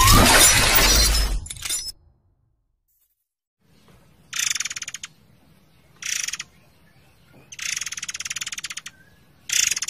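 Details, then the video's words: Forktail in a long, continuously singing tutor recording for training cage birds: after a loud noisy opening, harsh buzzy pulsed rattling bursts, each about one second long, come every one to two seconds over a low background rumble. "MASTERAN BURUNG MURAI AIR GACOR / Ngerol Durasi Panjang"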